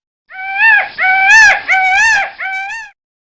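A peacock gives four loud, nasal, wavering wails in quick succession, each bending slightly in pitch, over about three seconds; nothing else is heard.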